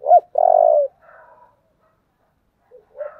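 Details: Spotted dove calling in the 'giọng thổ' voice style, with urging and calling coos: a short hooked note, then a loud, steady, low coo of about half a second, followed by soft, faint murmured notes and a brief rising note at the end.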